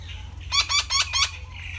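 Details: Red-breasted parakeet, a resident parrot of Thailand: four harsh, squawking notes in quick succession, each with a rich layered tone that drops sharply at the end, over a low steady hum.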